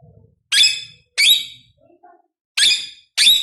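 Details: Shrill, raspy screeches from a rose-ringed parakeet, four loud calls in two pairs, each falling away briefly, with quiet gaps between.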